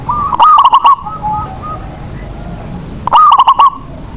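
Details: Lure zebra dove from Indonesia, cooing to make other doves sing: two loud phrases of fast staccato pulses about three seconds apart, with faint softer cooing between them.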